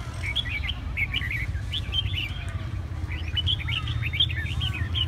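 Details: Red-whiskered bulbul of Hà Tĩnh, Vietnam: choppy, warbled phrases of quick rising and falling whistles, two bursts separated by a brief pause, against a rumbling low-pitched background noise.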